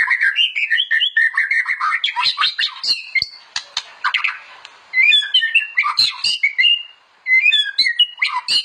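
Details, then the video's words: Song of a white-rumped shama (murai batu), meant as a master for training other shamas: rapid clicking and chattering notes open the passage, then sharp upslurred whistles and varied chirps follow in quick bursts. "KOMPILASI MURAI BATU - KUMPULAN BEBERAPA SUARA OCEHAN BURUNG MURAI BATU GACOR UNTUK MASTERAN MURAI"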